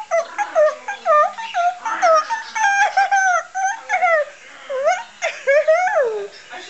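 A cockatoo gives a run of moaning, voice-like calls that slide up and down in pitch, in quick bursts about twice a second, with no other sounds.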